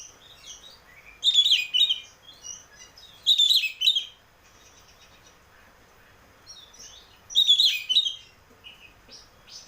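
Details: Oriental magpie-robin song played to encourage a caged bird to sing: loud rich whistled phrases roughly every two seconds, interspersed with softer chips and twitters.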